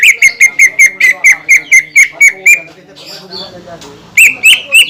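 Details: Lure song of a greater green leafbird, played to make other leafbirds sing: about fourteen rapid, evenly spaced high chirps, a quiet gap, then three loud whistled phrases.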